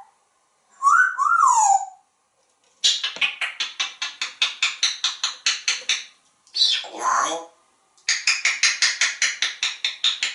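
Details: Pet African grey parrot, a talkative male hatched in 1997, on a screen porch in Texas talking to birds and squirrels with animal sounds: a sliding whistle, then long runs of rapid, evenly repeated harsh chattering notes broken by a short squawk.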